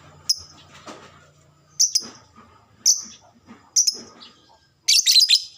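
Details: Lovebird chirps played to trigger chattering: sharp high single notes repeated roughly once a second, ending in a denser, rougher burst.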